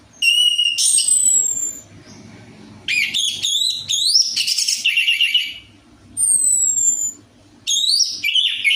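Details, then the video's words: Orange-headed thrush (anis merah) lure song for birds reluctant to sing: nearly continuous loud, high phrases of shrill whistles, rapid stuttered notes and slurred sweeps, broken by short gaps, with a faint low hum. "PANCINGAN ANIS MERAH AMPUH INI, ATASI SUSAH BUNYI ANIS MERAH"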